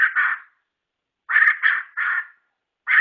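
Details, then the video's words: Murai ceram (white-rumped shama) uttering loud, coarse, chack-like notes in small clusters separated by silences. There are no other audible sounds. "suara burung Murai ceram..(denak)"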